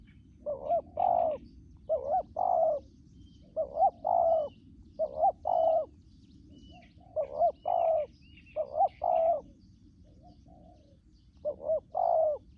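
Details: Decoy spotted dove, a wild-caught bird with a strong voice, giving 'thúc gù' coos: short paired hollow notes repeated in quick bursts, with brief pauses between groups and faint chirps from small birds in the background.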